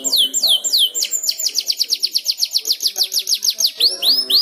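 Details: Canary in song-learning stage, prompted by a second canary singing: a fast steady trill of repeated downward-sweeping whistled notes, roughly five per second, after a few slower opening sweeps, ending in rising slurred notes.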